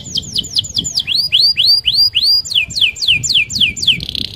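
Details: Canary singing a varied rolling phrase to lure other canaries: quick descending whistles, then rising upward slurs, then more falling notes and a closing buzzy trill, all high and rapid.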